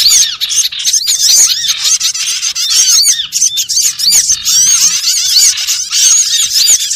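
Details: Small birds in a constant lively chatter meant to lure birds for trapping, with rapid high chirps overlapping and thin whistled squeaks repeatedly rising above the flock.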